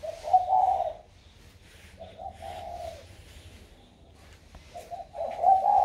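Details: Spotted dove raised in captivity, around a year old, cooing in a warm 'thổ' voice; low throaty coo phrases repeat at roughly two-second intervals over a faint background rumble.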